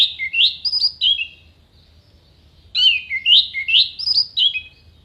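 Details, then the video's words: Orange-headed thrush giving a clear, sharp masteran phrase for songbird contests: a string of upward-sweeping whistled notes repeated roughly twice a second, delivered twice with a silent gap between. "MASTERAN ANIS MERAH GACOR FULL ISIAN TEMBAKAN TAJAM VOKAL JERNIH DURASI PANJANG ISIAN BURUNG LOMBA"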